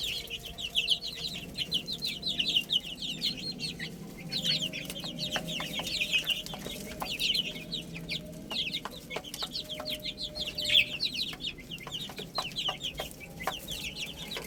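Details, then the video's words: Chicken chicks playing and eating, giving many high, quick chirping peeps that rise and fall in overlapping bursts throughout, with frequent sharp clicks and a low background hum. "Cute Little Chicks Chirping Sounds| Beautiful Chicks Playing and Eating"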